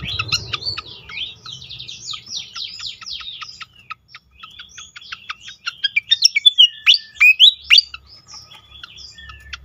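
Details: Pied fantail singing as a lure to stir other fantails into song: quick series of thin, high chirps and short whistled slurs, rough rhythm of about three to four notes a second, getting louder and sharper toward the end.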